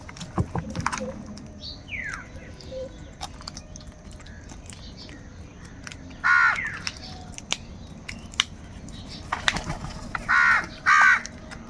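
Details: Angry crow calls while crows fight for food: one rasping caw midway, then a quick run of three harsh caws near the end, with faint chirps and a steady low hum between them.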